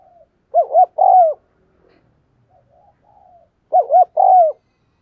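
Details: Spotted dove used as a lure, cooing vigorously to challenge wild birds. Two paired coo phrases about three seconds apart, each a quick double note and then a longer falling coo, with faint soft notes between.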